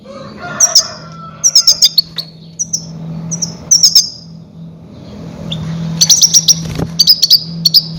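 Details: Calling goldfinch used as a decoy to lure grey-headed goldfinches. It gives lively high chirps in tight triplets and repeated clusters, with a low steady hum underneath.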